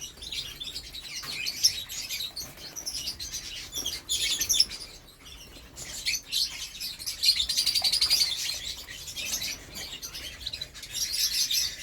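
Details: Canary singing in Malang: a busy stream of high, thin chirps and twittering notes in rapid irregular bursts, with short breaks, all pitched high above a quiet background.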